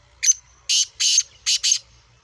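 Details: Black francolin, a Sindhi Speeder Kala Teetar of Gangas Sheedi cross with a nasal voice: a short burst of harsh, grating, buzzy notes, one brief lead-in then four strident syllables in quick succession, the last two paired, over a quiet background.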